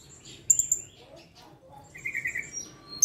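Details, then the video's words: Blue-crowned hanging parrot singing eagerly in reply to a lure: a quick triple of thin, shrill high notes, then softer chattering and a drawn-out mid-pitched buzzy note. "Serindit / Srindit gacor , pancingan langsung nyaut"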